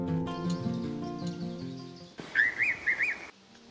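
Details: Rainbow pitta calling in Kakadu National Park, Northern Territory, Australia, gives a quick series of three or four clear, wavering whistles over about a second; soft music plays beforehand.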